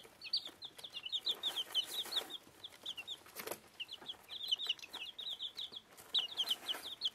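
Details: Bantam Plymouth Rock and Rhode Island Red chicks, one week old, feeding: a flock giving rapid high cheeping notes in clustered runs, mixed with soft tapping and rustling.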